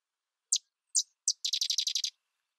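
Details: Sedge wren delivering its song in quiet surroundings: three separate sharp, dry chips followed straight away by a fast, regular chattering trill of about nine high staccato notes.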